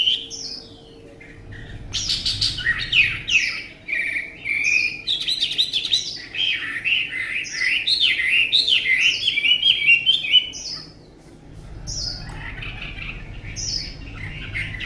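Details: Caged Chinese hwamei, a tame bird with a fine voice, pours out a dense, rich warble of quick varied whistled notes for about eight seconds, then breaks off into scattered single whistles amid low background hum.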